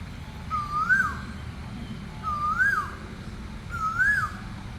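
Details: Asian koel calling: a clear whistled note, rising then falling, repeated three times about every 1.7 seconds over steady low background rumble.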